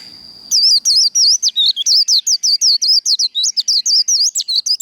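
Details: A Japanese white-eye gives a 'líu đấu' fighting song: a long, rapid run of piercing, zigzagging high chirps, roughly five notes a second, sustained for over four seconds.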